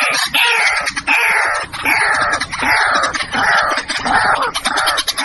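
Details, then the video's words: White-breasted waterhen calling loudly: a continuous run of coarse, croaking notes repeated a little more than once a second, harsh and broad-toned, with no other clear sounds. "Jal murgi bird video & sound effect"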